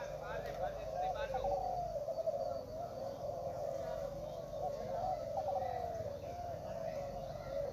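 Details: Many spotted doves cooing together at a klantan-class singing contest at Gunung Kembar, East Lombok, 2021; a steady, overlapping band of low, mellow coos runs throughout, with faint human voices underneath.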